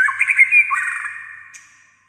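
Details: White-rumped shama, described as singing almost all day in many voices, giving a rich warbled phrase of rapid bright notes over sustained whistled tones that fade out, ending with one high short note.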